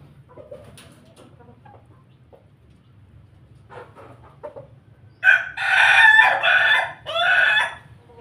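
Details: Pelung rooster feeding, giving its laughing crow. Quiet scattered clucks and pecking sounds come first, then a sudden loud, harmonic crow breaks into three long, strained segments near the end.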